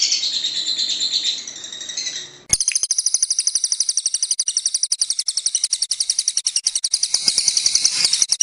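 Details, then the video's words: Lovebird 'ngekek' song for contest training: a blurred, high chatter first, then a sharp onset into a long, very high, evenly pulsed trill of rapid ticks lasting over five seconds. "Masteran loveBird Juara"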